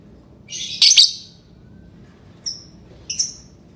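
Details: Lovebird chirping: one loud burst of sharp high chirps, followed after a pause by two short, thin high chirps against a quiet background.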